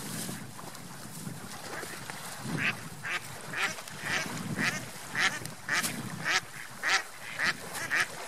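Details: Ducks on a lake, swimming and flying: a run of short nasal quacks, about two per second, growing louder and more regular in the second half, over steady splashing water noise.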